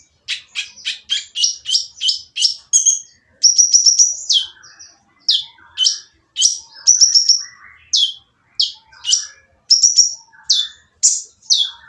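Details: Harsh, noisy sunbird song used to goad silent birds into singing: fast bursts of sharp, high chips, then a run of downward-sliding notes and brief trills, almost unbroken for twelve seconds.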